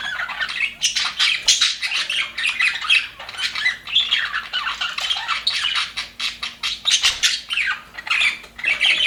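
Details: Aviary flock of budgerigars, said to be happy, keeps up a continuous rapid chatter of harsh squawks, clicks and warbled chirps for nine seconds, with only short lulls.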